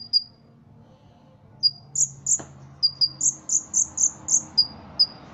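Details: Ruby-cheeked sunbird kept in a cage for Indonesian song contests, delivering cotton-cricket-style filling: sharp high single ticks, then a rapid run of bright, slightly higher chirps about three per second, ending with isolated ticks. A soft click is heard midway.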